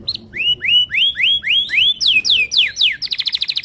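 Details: Timbrado canary training song made of slow, repeated rising whistled slurs about every quarter second. These shift to steep falling notes, then end in a rapid buzzy trill.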